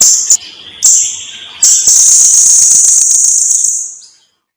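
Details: Blue-crowned hanging parrot's song, recorded for tutoring cage birds: two brief, very high, shrill bursts over a faint lower whistled tone, then a long, sustained, piercing buzzy trill that fades to silence.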